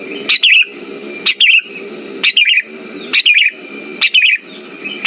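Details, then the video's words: Sooty-headed bulbul phrases used to coax quiet bulbuls into singing: a clipped high note followed by a liquid descending trill, repeated about once a second, five times, over low background hum and a steady whine. "Pancingan burung kutilang macet"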